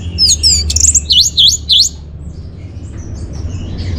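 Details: Orange-headed thrush song played as a lure and master for caged birds in North Bali: a quick burst of high looping whistles and downslurred notes lasting two seconds, then faint distant notes over a low hum.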